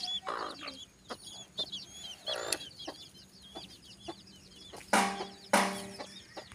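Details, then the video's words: Chicken with chicks: thin high peeping repeated throughout, scattered soft clucks, and two loud harsh squawks near the end. "Original chicken 🐔🐔🐔🐔 sounds and chicks sounds"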